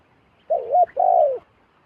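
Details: Single zebra dove phrase, recorded as a wild bird comes down to a decoy: a wavy coo that rises to a bright peak, then a steady burred coo gently dropping at the end.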